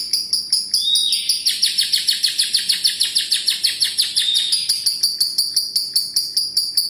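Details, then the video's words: Long ngekek chatter from a lovebird: a fast, steady stream of sharp high chirps, about four per second, sustained for several seconds with a brief squeaky note near the start. "Love birds gacor ngekek panjang konslet - Love Birds Sounds Ngekek"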